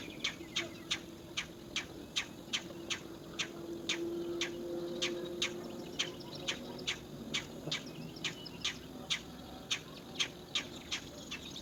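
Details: Harsh, scratchy calls from three baby rollers hidden in a nest hole while their mother forages, repeated in a steady series about every 0.4 seconds, with a low hum beneath.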